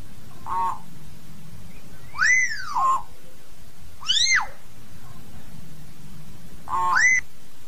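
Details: Hill myna calling its flock with a string of loud whistles: a short nasal note, then three ringing arched notes rising and falling, spaced one to two seconds apart, against faint background hum.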